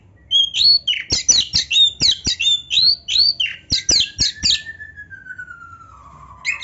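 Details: Oriental magpie-robin, called kacer, delivering a lavish gacor song full of varied isian phrases, meant as master training audio: rapid chattering series of sharp, buzzy and whistled notes, ending in one long, smoothly falling whistle.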